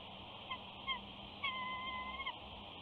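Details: Soft whining from a mother eagle sitting at her Big Bear nest beside her mate: two brief piping notes, then a long, even whistled whine held for nearly a second and ending with a downward slur, over a constant hiss.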